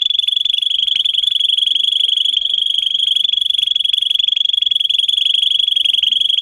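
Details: Russian canary bred for singing, performing a long, even, rapidly pulsed trill held on one steady high pitch without a break for over six seconds. The recording is meant for teaching young canaries to sing.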